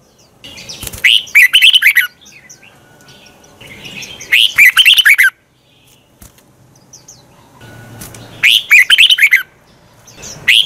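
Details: Red-whiskered bulbul singing a morning training song meant to stir other bulbuls to sing and compete; three loud bursts of quick, twisting whistled phrases roughly every three and a half seconds, with soft background rustling between.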